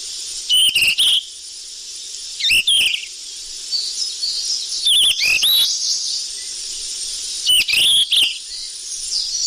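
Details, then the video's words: Sikatan emas flycatcher lure sound: four bursts of bright, high chirps, each with a short rising whistle, spaced about two seconds apart, with a continuous hissing background. "Suara pikat burung sikatan emas ribut"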